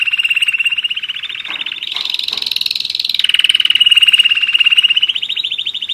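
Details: A year-old German Roller-split canary delivers a continuous rapid rolling trill, shifting gradually up and down in pitch through the phrase, with brief higher accents near the middle.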